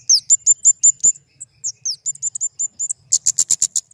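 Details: Loud, very high flowerpecker chips repeated rapidly, each a short sharp note, closing with a tight burst of harsher clicks.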